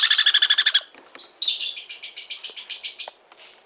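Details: Pet-shop sun conure chick, recently arrived by air in a box, giving a fast run of about nine harsh, harmonic-rich squawks, then a short pause and a long, rapidly pulsed, buzzy nasal call.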